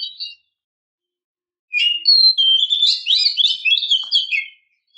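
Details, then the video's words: Female oriental magpie-robin trying to prompt a stressed male to respond, with a short whistle, a pause, then a sustained, rapid warble of mixed clear and scratchy notes. "pancingan Kacer depresi/stres agar nyaut gacor"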